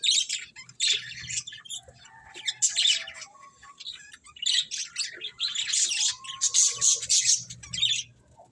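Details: Budgerigars chirping: dense bursts of scratchy, high chatter in clusters, with brief pauses and a few thin whistled notes between, the loudest bursts toward the end.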